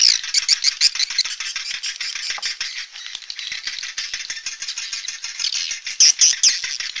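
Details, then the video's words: Swiftlet sound for a two-player amplifier: a dense, rattling stream of fast clicks with high twittering notes and a few bright squeaks near the end. "suara burung walet"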